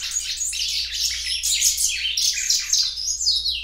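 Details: Belgian canary, a loud singer, in full song: unbroken rapid high warbling made of rolling trills and quick slurred notes, bright and piercing throughout.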